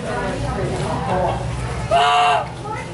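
An African goose gives one loud, nasal honk, slightly arched in pitch and about half a second long, after people talking nearby.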